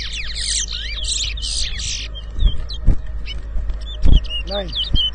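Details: Large-billed seed-finch (towa towa) in a bird whistling competition between two birds at Rosehall Town, Guyana, 2022: rapid high whistled sweeps and trills for about two seconds, then scattered short notes over thumps and faint voices.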